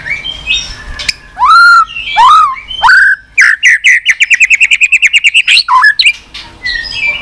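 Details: White-rumped shama with continuous 'tạch' fighting song, used to rouse a low-spirited bird: rich swooping whistles, then a long, fast, even series of about twenty clipped repeated notes, ending in softer warbles.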